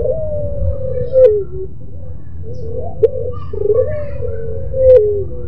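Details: Barbary dove, pelung type, voicing its melodious, crying song: long descending coos alternating with short broken notes and soft clicks, against a steady low background hum.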